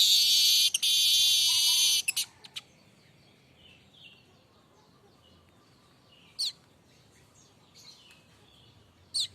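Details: Streaked weaver, unedited recording: a loud high sizzling buzz for about two seconds, some clicking notes, then long quiet gaps broken by two brief sharp chips.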